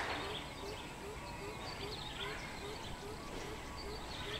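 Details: Greater coucal recorded on 13 June 2020: deep, even hooting notes repeated roughly every half second throughout, under scattered higher bird chirps and constant outdoor noise.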